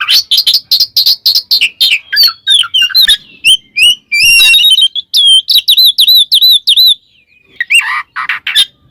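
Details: White-rumped shama (kacer), calling a rival and provoking other males; loud varied song of rapid harsh chirps, then clear whistled notes and a run of repeated hooked whistles, dense and high-pitched with brief pauses.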